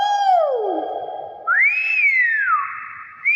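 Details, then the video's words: Hill myna producing clear, loud whistles: a falling glide, a pause-free rising and arching note that levels into a long steady tone, then a fresh upward whistle at the end. "BEO SUARA ASLI"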